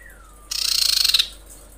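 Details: Common iora female, in breeding condition, calling males. A faint falling whistle comes first, then a loud, rapid, buzzy trill of evenly spaced pulses lasting under a second.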